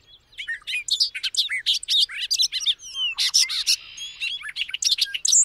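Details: Bobolink of the blackbird family pouring out an exuberant, rapid bubbling song: a continuous cascade of varied sharp, tinkling and buzzy notes, with a short droning buzz in the middle, clear and close.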